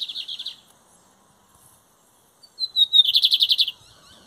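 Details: Lined seedeater singing at a 2023 song contest between Metálico and Torneiro song styles: a brief buzzy high phrase, a pause, then a rising thin whistle that breaks into a rapid, evenly pulsed high trill of about ten beats.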